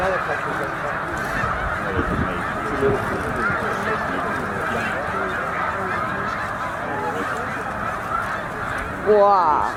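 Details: Massed snow geese, about 100,000 birds on migration at Middle Creek wildlife refuge, heading north to breed; unbroken clamour of yelping honks throughout, with a louder burst of close calls near the end.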